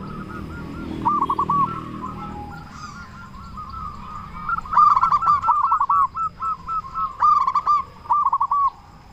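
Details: Prolific local zebra dove with a large voice, played to draw answers from other doves; a long rolling series of quick, bouncy coos, steadily repeated, with sharp crackling bursts layered over the later notes.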